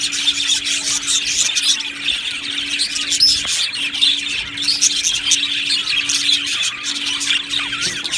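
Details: Many budgerigars in an Australian budgie aviary keep up a busy, unbroken chatter of sharp chirps and twittering warbles. A low electrical hum pulses on and off in the background.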